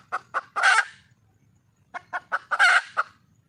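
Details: A wild red junglefowl hen seeking a male gives two quick clucks and a rough squawk, pauses for about a second, then repeats clucks leading into another harsh squawk.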